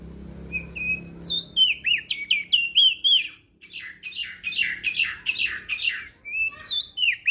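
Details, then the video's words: Crested white-eye of Lombok singing, a recording played to train birds that seldom sing: fast slurred whistles and chirps, then a denser, harsher twittering stretch, ending with more clear rising notes. "Opior JAmbul Laombok Gacor Suara Merdu - MAsteran Dan Pancingan Burung Malas Bunyi"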